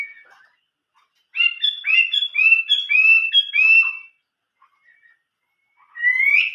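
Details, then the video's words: Chinese hwamei singing in the 'old forest voice' style (giọng rừng già): a run of about six loud, clear whistled slurred notes repeated in quick succession, a pause, then a bright rising whistle. "chim họa mi hót giọng rừng già"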